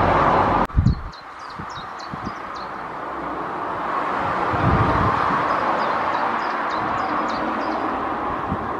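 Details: Chiffchaff singing in a tree opposite a cottage: two short runs of high notes alternating between two pitches, about four per second, over a steady rumble of wind or distant traffic.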